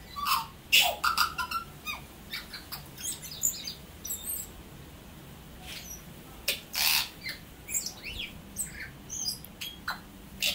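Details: Tui song from New Zealand made of scattered high clicks, squeaky whistles and harsh broadband rasps in irregular bursts, over a constant background hiss.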